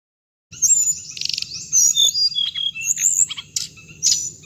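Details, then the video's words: Hồng hạnh bird sound played back to lure birds into traps: a dense run of high, thin whistles, sliding notes and rapid buzzy trills with sharp chirps, over a steady high hiss. "tiếng chim hồng hạnh âm thanh để bẫy loa"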